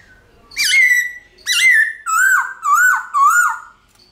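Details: Forest-style song of a White-cheeked laughingthrush, ringing and drawn out: five loud, rich whistled notes about a second apart, the first two level and sustained, the last three dipping and rising like slurred wavers.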